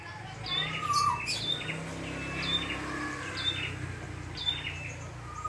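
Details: Red-headed prinia singing freely in the wild. Spaced high chirps with descending tails are interleaved with a lower clear whistle, set against a steady low hum.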